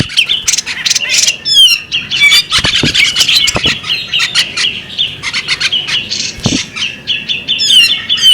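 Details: Female bearded magpie-robin gives a busy, unbroken run of harsh squawks, scratchy chatters and sharp high whistles, with a few clicking sounds mixed in.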